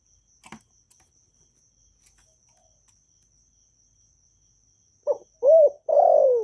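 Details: Spotted dove from Vietnam in a calling, urging and cooing style meant to train new doves to sing: after a long near-silent stretch with faint high ticking, three low coo notes arrive at the end, the last long and falling.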